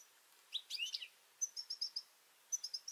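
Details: European goldfinches at a garden seed feeder, juveniles present and birds squabbling; a short buzzy slurred call followed by bursts of quick, bright twittering chirps in rapid series.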